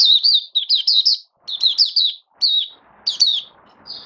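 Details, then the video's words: Kept oriental white-eye in build-up form, 19 September 2022, delivering clean, high, quickly rising and falling twittered phrases in clusters of two to four notes, separated by short silences. "Mata Puteh V2 Raja Buka Sing Build Up Form"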